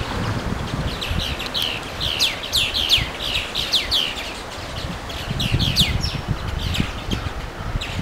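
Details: Small birds singing along the Watarase River on May 4: clusters of sharp, high, descending chirps repeated in rapid bursts over several seconds, with steady low rumbling wind or rustling noise underneath.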